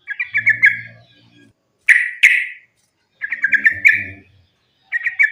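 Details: Fighting song of a sooty-headed bulbul, sung continuously as a lure to provoke other bulbuls: rapid bubbly chattering runs of notes in bursts of about a second, broken by short pauses, with a soft low rumble under some runs.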